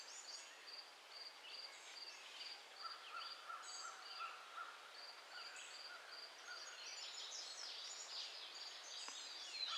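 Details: Cedar waxwings in Michigan on June 20, 2011 give thin, very high lisping notes, repeated over and over by several birds, with occasional trills and whistles, over a steady lower hum, faint birdsong from nearby birds and buzzing mosquitoes.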